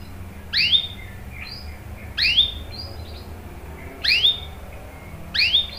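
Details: Canary used as a lure to prompt other canaries to sing: short swooping chirps, each with a quick upslurred note and a brief thin whistle, spaced about every two seconds against a quiet background hum.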